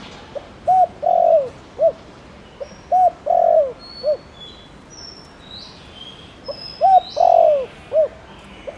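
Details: Cooing of a spotted dove in the Thổ Đồng style, played to stir other doves into calling. Three phrases run clipped coo, long sliding croo, short closing coo. High thin chirps from other birds sound in the middle.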